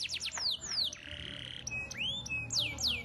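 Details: Singing canary, 'gacor' with 'cengkok mewah' ornamentation: quick high notes, long falling whistled slides, a flat buzzy hold, then a rising slur and two more steep downward sweeps.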